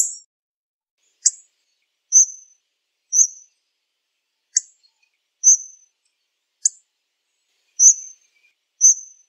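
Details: Hawfinch calling: sharp high clicky ticks alternating with thin high drawn-out tsee notes, about one sound per second over a silent background.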